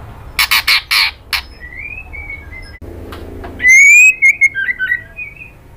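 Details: Female white-rumped shama calling to a male: four harsh, buzzy rasps open, followed by soft thin whistles, then a loud slurred whistle with bright overtones breaking into quick chirpy notes and a closing whistle.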